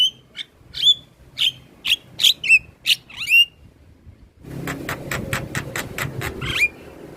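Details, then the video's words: Black-winged starling in full song while head-bobbing: a run of sharp, whistled notes with upward-swooping inflections, followed by a burst of harsh, rapid clicking chatter with a buzzy background, ending in a short whistle. "Suara Asli Jalak Kebo gacor Full Manggut manggut"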